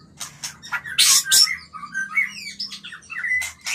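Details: White-rumped shama song used to stimulate breeding, a varied medley of sharp chirps, squawky notes and short whistled phrases, with loud harsh bursts near the first second and low hum beneath.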